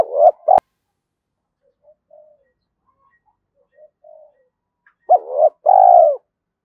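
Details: Luring spotted dove calling in the thúc style: a loud coo pair opens, faint low murmurs follow, then another strong two-note coo, short then long and slightly falling, closes the clip.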